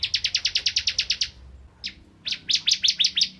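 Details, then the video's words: Bar-winged prinia, called ciblek kristal and found around rice fields, singing as a magpie-robin tutor: a quick train of high chipping notes, a pause with a lone note, then uneven, tumbling chirps. "Burung Ciblek Kristal Gacor Untuk Masteran Murai Batu"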